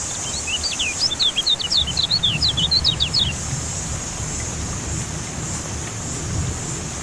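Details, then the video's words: A caged lemon-bellied white-eye under rain therapy, meant to restart a bird that has gone quiet, gives a quick burst of sharp, high chirping notes lasting about three seconds, then only a steady hiss and low rumble remain. "Terapi Hujan Kecial Kuning Buat Burung Yang Macet Jadi Bunyi Gacor Joss"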